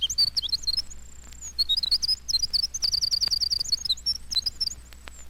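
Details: Winter Wren song recorded in the Adirondacks, played at natural speed: a long, rapid, tumbling stream of high tinkling notes and trills, with a thin whistled note partway through, delivered at a breathless pace.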